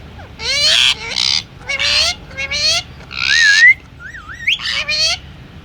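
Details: Pet Indian ringneck parakeet talking, uttering speech-like word phrases. These are harsh, harmonic voiced syllables in quick bursts, with a wavering whistle and rising whistled notes near the end.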